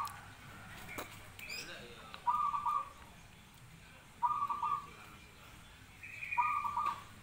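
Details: Zebra dove singing: three short bursts of rapid, rolling, pulsed coos at a mid pitch, each lasting about half a second and spaced roughly two seconds apart, with a steady higher whistled tone between them and faint background noise.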